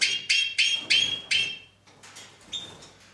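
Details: Two-barred (white-winged) crossbill singing despite the weather: five dry, buzzy chattering notes, about three per second, then softer notes and a thin whistled note, over a faint low hum.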